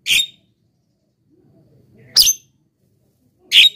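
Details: Javan myna song used as a lure for wild mynas: three harsh, broad squawks spaced irregularly, with faint low rustling between them.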